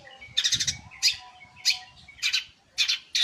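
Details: Long-tailed shrike, reportedly singing day and night, utters rough chattering bursts and single scratchy calls at uneven intervals, each harsh and noisy, with gaps of near quiet between them.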